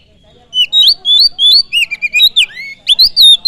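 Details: Oriental magpie-robin song used to provoke other birds: a fast, loud stream of varied whistled notes, upslurs, downslurs and short twitters, almost unbroken for three seconds with a brief pause near the end.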